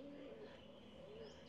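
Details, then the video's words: Pigeons nesting in the eaves of Wat Phra That Lampang Luang temple, Lampang, Thailand, in 2024 give soft, low, hollow coos in two brief murmuring phrases that rise and fall slightly, over a quiet background hum. "you can hear the pigeons up there that have nested up in the eaves"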